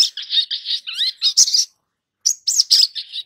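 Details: Long-billed spiderhunter song meant to prompt young birds to sing: rapid run of high, buzzy chattering notes with a few sweeping whistled slurs, a short pause, then more sharp chirps.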